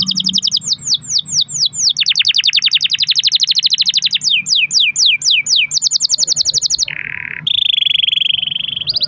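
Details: Pet canary delivering long rolling song to stimulate other canaries: a rapid series of looping sweeps, an extended dense trill, more swept notes, then a lower buzzy roll and a high trill.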